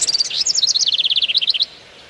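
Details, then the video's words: A small bird among trees and plants sings a rapid, high-pitched twittering run of about twenty-five sweet notes, stepping down in pitch and lasting under two seconds. "bird's sound"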